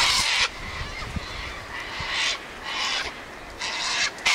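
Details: Sulphur-crested cockatoos gathered at a regular spot, screeching and squawking: harsh, broadband raucous screeches in bursts of about half a second to a second, several overlapping birds, with low background rumble.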